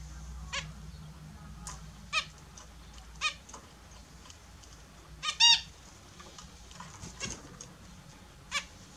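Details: Captive Australian zebra finches taking their morning bath; short nasal harmonic calls spaced a second or more apart, with one louder stacked call midway, over quiet background hum.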